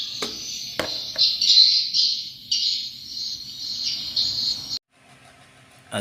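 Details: Swiftlets twittering in high, rasping chirps that run in quick bursts for nearly five seconds, a few sharp clicks mixed in, then a sudden stop followed by a man's voice speaking.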